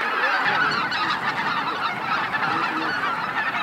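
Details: Greater white-fronted geese descending to roost at Miyajima-numa marsh, Bibai, Hokkaido, 2016: an unbroken chorus of yapping, two-note honks from a big flock, individual calls tumbling rapidly over each other.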